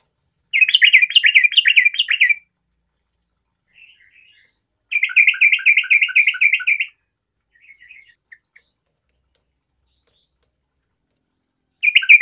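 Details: Yellow-vented bulbul in energetic singing form, played so that other bulbuls sing along: bursts of about two seconds of fast, bubbling, repeated chattering notes, separated by pauses with a few soft scattered notes.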